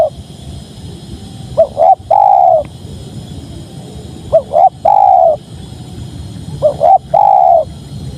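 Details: {'caption': 'Spotted dove repeating its cooing song three times, two short upslurred notes then a prolonged soft coo in each phrase, about two and a half seconds apart, with gentle background rumble.'}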